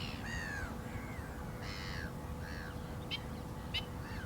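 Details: Black-winged stilt calling: nasal, harsh yelping notes with rich overtones, some falling in pitch, given in separate bursts, with sharp clicking notes near the end over steady background hiss.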